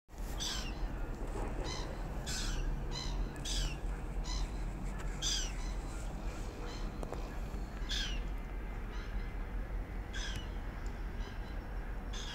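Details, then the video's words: Hungry young seagull coming closer for a snack. It gives short, harsh, slightly downslurred calls in bursts every one to two seconds, over a steady low rumble of background noise. "hungry young seagull"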